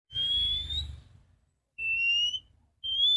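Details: Female Oriental magpie-robin with a clear voice, used as a morning lure to stimulate males: long pure whistles, the first rising slightly, then two shorter steady whistles, with a low hum underneath.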